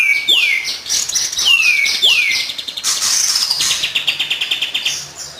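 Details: Kapas tembak singing as a training lure: three sharp descending whistled slurs in quick succession, then a rapid, scratchy chatter of fast repeated notes.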